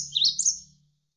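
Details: Single short phrase from a Javan sparrow used as a tutor recording: a few high, slurred chirps rising and falling, ending quickly, over a faint low murmur of flowing water.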